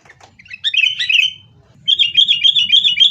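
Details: Sooty-headed bulbul in a fighting lure recording for kept birds: a warbled phrase of slurred notes, a short pause, then a fast, continuous chattering rattle of repeated bright notes.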